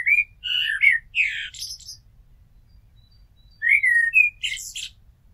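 A common blackbird sings two unhurried phrases, each a mellow, fluting warble that breaks into a thin, squeaky twitter at the end, with a quiet pause between.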